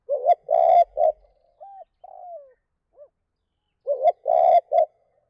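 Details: Spotted dove giving a provoking two-phrase (2 cốt) call: a gruff three-note coo, then gentle sliding notes and a small hoot, with the triple coo starting again near the end.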